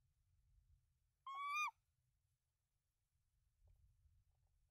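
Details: A single tawny owl call, about half a second, strong and harmonic with a slight downward bend, from a Danish nest holding three eggs on 24 March 2024; a low rumble runs underneath; male brings rodents to the female.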